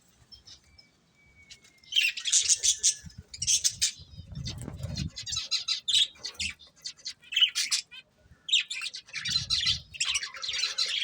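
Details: Breeding pair of pet budgerigars chirping: bursts of dense, scratchy high chatter in clusters, with gaps between, plus low thumps and rustling around the middle.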